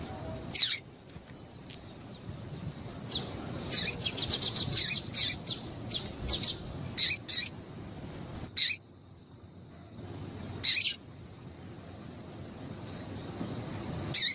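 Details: Female double-collared seedeater call meant to excite a male to sing, favoured by tournament breeders: scattered high, clipped chirps, a quick stuttering burst of about ten notes midway, then sparse single chirps.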